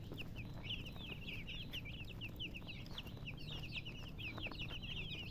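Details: Baby chickens peeping together, many thin, high, downward-sliding cheeps overlapping continuously over a steady low rumbling background noise.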